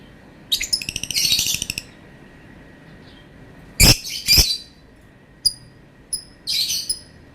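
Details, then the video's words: Lovebird calling in a series of high, rasping chatters and squawks: a buzzy burst at the start, two loud sharp squawks midway, then short thin chirps and a final harsh burst, with faint low ticking sounds early on. "Burung Lovebird bunyi suara panjang bikin geram"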